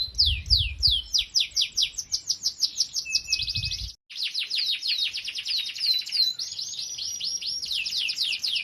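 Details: Canary training song for young canaries: dense fast series of down-slurred whistled notes and trills, a brief silent break, then a long continuous rolling trill with slurred accents.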